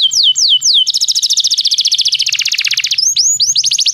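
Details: Canary song played to prompt singing in a canary: three drawn-out downslurred whistles, then a long rapid trill that shifts lower, ending in upswept and falling whistles, over a faint low hum.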